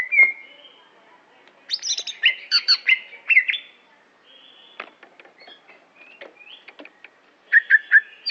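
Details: Greater green leafbird, Aceh variety, singing in a small room: bursts of loud whistled and chattering notes with rising and falling slurs, pauses of quieter clicks between phrases.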